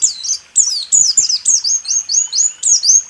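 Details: White-eye rool tembak song for training caged birds: a clean sequence of loud, high whistled notes, each sweeping downward, delivered about three per second.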